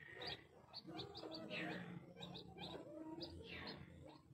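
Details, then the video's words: Blue crested fireback chicks give thin, high peeps in quick, uneven bursts of several per second, over a low murmur of voices. "Anak Ayam Sempidan Biru"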